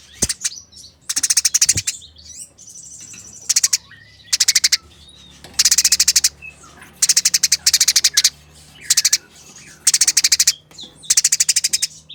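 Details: Rough, rapid chattering from fighting Eurasian tree sparrows, clearly recorded: bursts of densely packed chirps roughly every second, a few thin rising squeaks between them, and two sharp taps early on.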